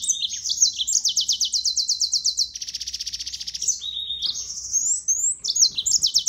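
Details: Yellow-fronted canary in loud, clear song: bright high whistles lead into rapid repeated trills, a buzzy rattling stretch, then sweeping slurred notes, all delivered without pause over a quiet background.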